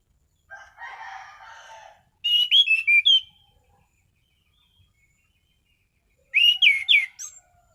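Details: Orange-headed thrush (anis cendana) in gacor mapan form, singing sharp, stable shots. It opens with a low, harsh, rasping sound. Then come two bursts of rapid, bright slurred whistles, separated by about three seconds of silence.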